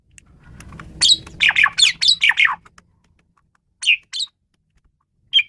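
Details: Asian pied starling belting out a dense rush of harsh squawky chirps, then a few isolated sharp notes after a pause, low hum underneath at first.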